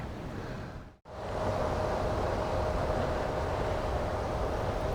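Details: Steady rumbling engine or wind noise with a faint constant hum, broken by a brief dropout after one second, and no animal calls heard.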